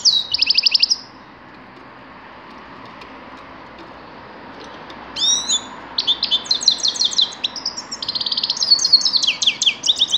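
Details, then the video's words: Grey-crowned goldfinch song: quick bursts of high, liquid, twittering notes separated by a long pause, then a lively stretch of rapid chattering and jingling phrases. "Седоголовой щегол"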